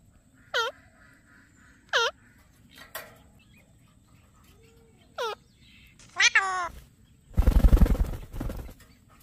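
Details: Alexandrine parakeet talking with scattered short calls: sharp, downward-swooping squawks a second or so apart, then a rapid stuttering phrase and a loud, rough, noisy burst near the end in a quiet room.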